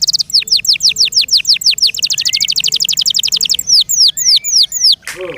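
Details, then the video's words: Singing canary kept by its owner: repeated loud downward-sweeping whistles about three per second, a rapid high trill, more slurred whistles, and a brief low warble at the end. "THE BEST CANARI BIRD"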